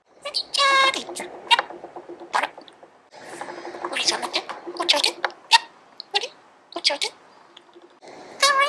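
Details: A two-year-old male pet budgerigar chatters in a rapid run of scratchy chirps, clicks and speech-like warbled syllables.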